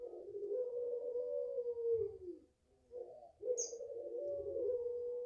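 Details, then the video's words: Long wavering coo from a five-month-old garden-raised puter pelung Barbary dove, held for over two seconds then falling, followed by a second extended coo; a single high chirp sounds briefly. "SUARAPANJANG PUTERPELUNG"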